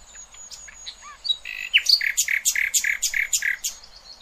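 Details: Tutor song of a nightingale for goldfinch and hybrid youngsters: soft slurred whistles open, then a strong, rhythmic run of rich repeated notes, about seven in quick succession.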